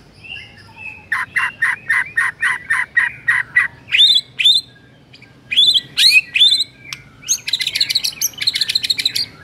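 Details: Rich, mimicry-laden morning song of a white-rumped shama: a run of evenly spaced harsh notes, then loud upslurred whistles, ending in a rapid chattering series of chips.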